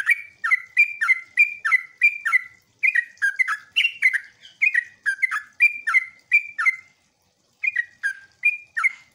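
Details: Sooty-headed bulbul chattering song used as a lure to make other bulbuls answer: a fast run of bright, bubbly chirps, about two each second, with a brief pause before it starts again.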